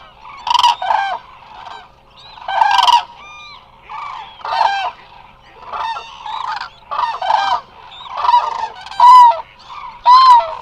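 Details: Many Eurasian cranes resting at the Hula Nature Reserve, Israel, trumpeting in a loose chorus: loud rolling bugles around one kilohertz overlapping, roughly one burst a second.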